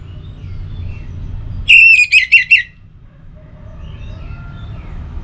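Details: Orange-headed thrush song used as a morning and evening lure to make other birds sing more: one short burst of about five clear whistled notes near the middle, with a quiet low hum behind.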